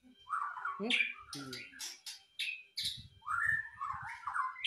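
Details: White-rumped shama singing energetically: warbled phrases mixed with sharp high chips and clicks, broken by short pauses, with a low voice murmuring faintly in the background midway.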